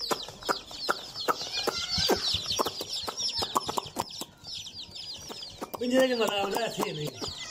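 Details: Baby chicks playing, giving a dense chorus of high, downward-sliding peeps repeated rapidly, with sharp clicks and knocks throughout and a lower, warbling burst near the end.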